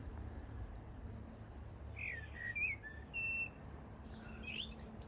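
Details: A bold common blackbird sings at about 7:30 am on 20 April at Flowersbrook, Isle of Wight, on a bright morning: a few short, mellow fluted notes, with a blackcap and other small birds chirping and a steady low wind rumble.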